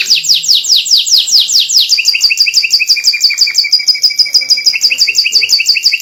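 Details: White canary singing a tutor song for young canaries to copy: repeated descending whistled sweeps that shift into quick rolling trills and steady, rhythmic, chirping tours, loud and clear.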